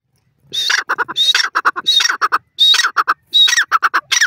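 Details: Grey francolin, described as Dakhni and Irani teetar partridges of South Asia: loud repeated phrases, each a sharp rising whistle followed by a rapid run of three to four harsh clipped notes, phrases recurring about every 0.7 seconds.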